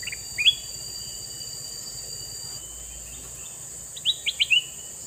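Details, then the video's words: Male red-eyed sooty-headed bulbul, used as a lure for wild bulbuls, giving two short bursts of quick, slurred chirping notes, one near the start and a four-note phrase near the end, over a steady high-pitched insect-like drone. "Burung kutilang mas jantan mata merah"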